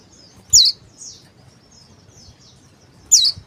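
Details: Two loud high sharp chirps about two and a half seconds apart from a male Oriental white-eye, locally called pleci, with soft twittering between and low background noise.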